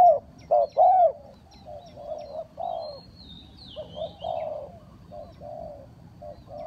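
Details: Lure cooing of a spotted dove for bird trapping. Three loud, husky coos open the clip, then softer, muffled coo phrases continue. A high sliding whistle from another bird is heard in the middle.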